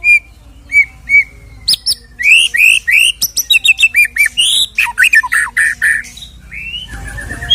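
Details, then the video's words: White-rumped shama, fighter type, singing a rich song meant to provoke another shama: a few spaced whistles, then a dense rapid run of bright, looping whistled notes and trills, ending in a rough noisy burst. "MURAI BATU KENA MENTAL \FIGHTER KEMBALI SAAT DENGAR KICAU ISIAN INI"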